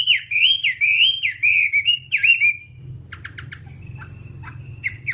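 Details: Whambie tutor recording for caged birds: a fluent string of loud rising-falling whistles for a few seconds, followed by faint clipped chirps and a thin held tone.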